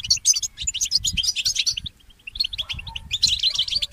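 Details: A goldfinch mule sings in the early morning in two quick runs of high twittering chirps and trills, with a short quieter pause between them and low rumbling noise throughout.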